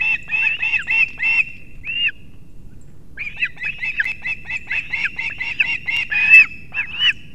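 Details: Latvian osprey nest in Kurzeme, 6:40 am, 3 September 2024, the father arriving with two fish for the chicks: bursts of shrill, downslurred chirping, a pause of about a second, then a longer, excited chirp sequence over a faint low hum.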